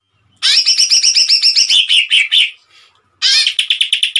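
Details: Greater green leafbird, locally cucak ijo, firing a 'tembakan' burst: a quick run of about twenty sharp repeated notes that slows and drops in pitch, a short pause, then a fresh rapid series.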